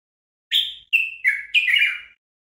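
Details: Training tape of Common bulbul song (Moroccan bulbul, local name "al-watwat"): a single clear phrase of four whistled notes, steady then dropping, closing with a longer wavering note, with no other sounds.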